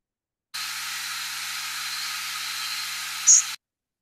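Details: A Lazuli Bunting's nocturnal flight call given during migration: a single very high, brief buzzy note with many modulation peaks, sounded once against a steady hiss of background noise.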